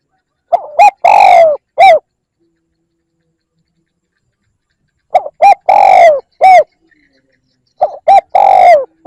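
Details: Repeated spotted dove lure call: three similar phrases, each a stutter of short coos, a long downward-sliding coo and a crisp last note, spaced roughly every three to four seconds in otherwise silent surroundings.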